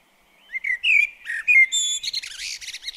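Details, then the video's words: Common blackbird singing in a garden while visiting a bird table: mellow whistled phrases slurring up and down, followed by a higher, thin squeaky twitter at the end. "Garden Birds Singing The Blackbird"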